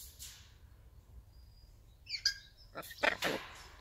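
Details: Captive tame hyacinth macaw at a parrot park in Prague, Czech Republic, talking while enjoying a shower: a soft hiss of water, then short harsh bursts around two seconds in, followed by two louder raspy broadband utterances near the end.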